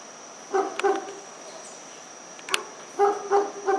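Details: Dusky-legged guan, two birds in a rural condominium at Pereira, Colombia, about 5:30 pm on 25 November 2021; short paired honks, a pause, then another pair, with insects buzzing steadily behind.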